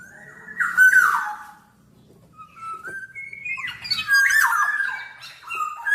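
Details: Black-naped oriole, billed as a nonstop singer: a loud nasal descending note, a quiet gap, then stepped rising whistles and a harsh chattering burst.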